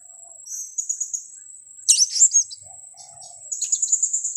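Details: Blue-crowned hanging parrot lure recording for trapping, with a short run of sharp, high twittering notes, one harsher burst in the middle, then a quick string of thin chirps, all over a constant high whine.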